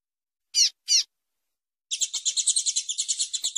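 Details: Female double-collared seedeater calling, used to excite males to sing: two clear, high, slurred chirps, then a fast, steady, buzzy high trill of rapidly repeated notes lasting almost two seconds.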